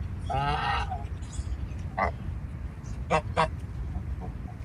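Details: One long, quavering nasal honk from a farm goose, then a few short, sharp honks spaced irregularly, over a low background rumble.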